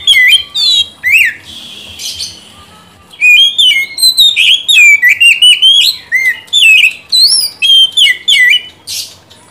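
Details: Oriental magpie-robin in full song, offered as a lure for a bird that will not sing. Long, busy run of loud, varied whistles, chirps and downslurs, roughly two or three notes a second, with brief rasping bursts.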